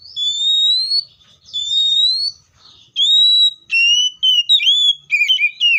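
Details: Seychelles magpie-robin singing loud, clear slurred whistles: several long rising phrases with bright overtones, then a quicker string of short, inflected whistled notes that bend up and down, with brief pauses between phrases.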